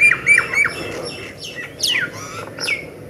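A myna gives a varied run of sharp chirps and squawky, down-slurred whistles, about three or four notes a second, over faint room noise.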